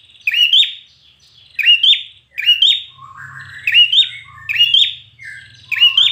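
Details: Red-whiskered bulbul singing for competition, whistled phrases with rising endings given at a slower, uneven pace, mixed with softer sliding notes and a faint low hum in the background.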